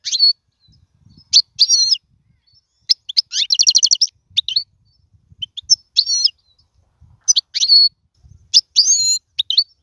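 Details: European goldfinch in a single cage singing for young birds to learn; crisp separated phrases of twitters, a fast rattling trill, and clear rising-falling whistles, with quiet gaps between.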